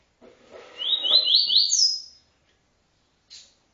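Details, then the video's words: ['TuiTui encarte song of a double-collared seedeater: a quick ladder of rising buzzy notes climbing to a bright high slur over faint low background murmur, followed by a brief soft chip.'] "encarte TuiTui"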